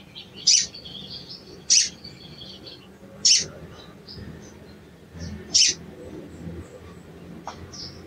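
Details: Sooty-headed bulbul calls meant to anger a quiet bird into song: four piercing, abrupt high notes over eight seconds. Faint thin whistles trail after the first two notes, and a soft chatter sits underneath.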